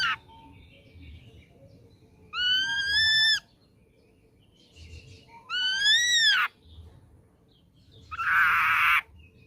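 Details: Ashy drongo caught young in the wild sings two ringing, arched whistles, then ends with a harsh, scratchy burst. The phrases are spaced about three seconds apart.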